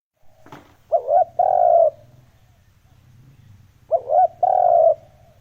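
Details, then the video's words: Spotted dove lure call used to provoke wild doves: two cooing phrases, each a short wavering hoot followed by a longer steady low coo, about three seconds apart, with a faint click near the start and a low hum beneath. "Âm thanh kích chim cu gáy mp3 mới nhất 2021! (Tiếng kích chim bổi)"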